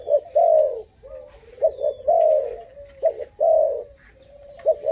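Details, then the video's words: Five-month-old dove, noted as very bold, utters deep smooth coos, a long swelling note followed by brief double notes and a quiet trailing hum, repeated three times, with a faint high whistle. "កូនលលកទើបឡើងអាយុ 5ខែហ៊ានខ្លាំង"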